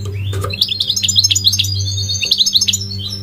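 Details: A goldfinch delivering a fast run of bright, clipped twittering notes, about three or four per second, high and metallic, over a low droning hum.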